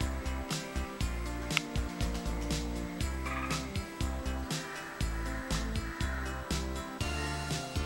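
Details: Rhythmic music with pulsing percussion beats and sustained instrumental tones, no birds audible.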